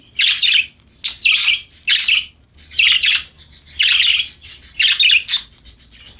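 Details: Playful budgies chirping and singing: a steady series of loud, grating chatter bursts, each about half a second, repeated roughly once per second with short silences between.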